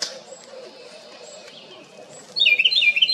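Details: ['House wren making a loud noise: low background murmur and a few faint notes, then a sudden rapid, jumbled chatter in the final second.']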